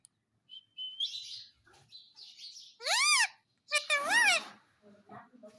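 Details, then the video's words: Indian ringneck parrot at home: a thin whistle, then two loud arched squawks, each swelling and falling in pitch, with soft chatter between. "Mummy Mummy Bolne Wala Parrot || Talking Parrot || Mummy mitthu ki roti do"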